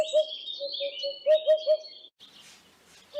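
Eurasian hoopoe giving soft, low, hollow 'oop-oop' hoots in a quick series of about seven, while another bird sings high thin whistles alongside.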